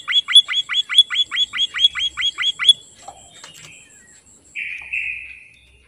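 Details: White-headed munia, a bird in full song: a quick run of about a dozen short, downslurred chipping notes over a thin high whine, then a soft buzzy hiss.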